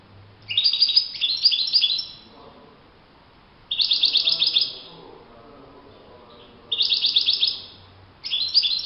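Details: European goldfinch singing in the wild: repeated short bursts of fast, jingling high twitters, each about a second long, spaced a few seconds apart, with faint low background murmur between.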